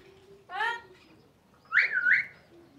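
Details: Parrot giving a brief harsh squawk, then after a pause a louder, wavering whistled call that rises and dips twice, over a low steady background hiss.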